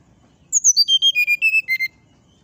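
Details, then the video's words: Brown-chested jungle flycatcher singing 'nyuling', a flute-like style said to provoke neighbouring birds. One even run of about eleven loud clear whistles falls steadily from very high to mid pitch, with no closing flourish. "SATU SATU NYA SRDC NYULING BIKIN EMOSI SRDC TETANGGA,SIKATAN RIMBA DADA COKLAT"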